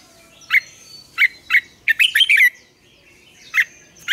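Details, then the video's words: Red-whiskered bulbul morning song in the mature wild double-note style, used as a lure to train other bulbuls: short bright warbled notes repeated about every half second, then a quick rich phrase, with a thin high whistle from another bird behind. "luyện chào mào hót sáng, Ép chào mào hót âm kép già rừng hay tuyệt!"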